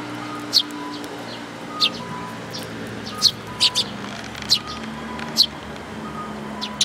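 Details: Sparrows, parents and chicks, recorded 19 May 2018: short sharp high chirps at irregular intervals, about eight in seven seconds, over a steady low background hum.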